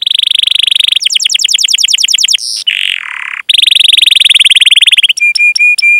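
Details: Canary song from a lure recording for training young or silent canaries: rapid buzzy trills and rolls, a brief lower nasal note, then a long steady trill and a few ringing repeated notes.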